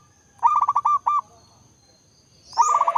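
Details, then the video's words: Zebra dove (perkutut) singing in the nritik style known as songko buono: a rapid stuttering run of soft mellow coos, then two longer drawn notes, with a second rolling phrase beginning after a pause. "Suara Khas Perkutut RAJA irama nritik Songko buono."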